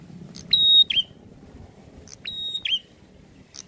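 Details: Prinia, called prenjak, delivering two piercing phrases, each a short tick into a sustained high flat whistle ending in a downward flick, with faint background hum.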